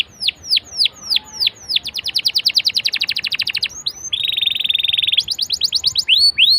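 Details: Canary song played as a lure to prompt other canaries to sing: high, sweeping downslurred notes open, then a fast even trill, a buzzy sustained rattle, and more rapid high trills, all loud and continuous.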